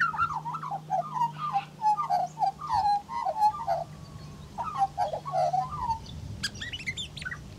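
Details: Female Australian magpie of the Western race, Gymnorhina tibicen dorsalis, mimicking other birds while gathering grass for her nest. Rich, fluty warbling phrases run for about six seconds, then end in brief, sharper high chirps, over a steady low hum.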